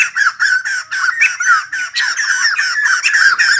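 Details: White-crested laughingthrush, kept bird, singing and dancing: continuous loud, harsh cackling of quick rising-falling syllables, several overlapping voices, with faint low ticks in the background.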